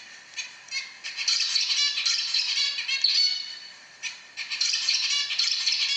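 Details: Zebra finch singing: rapid buzzy, nasal rattling phrases in quick succession, high and harmonic-rich, a brief pause near the four-second mark before the fast chattering resumes; quiet indoor background.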